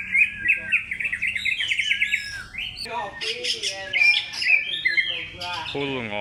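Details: Oriental magpie-robin singing as a lure: rapid chattering whistles and trills repeated in quick runs, then loud harsh notes and a buzzy, squawking phrase at the end.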